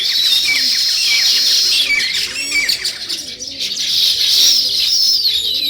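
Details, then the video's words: Sparrows, described alongside weaver birds, in a natural setting: a dense, continuous chorus of high chirps and short twittering notes from many birds at once, with brief rising and falling squeaks over the steady wash. "Natural Sparrow Chirping Sounds |Weaver Birds"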